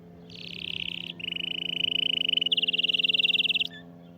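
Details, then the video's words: Canary song meant to stimulate a silent canary to sing: three rapid trilled tours in sequence, a high buzzy roll, a lower smooth rattle, then a fast bright pulsed trill, each held about a second. "إياك تقول عصفوري الكناري ساكت أدخل عليه البهجة بالمقطع الأكثر تحفيز نار نار Canary"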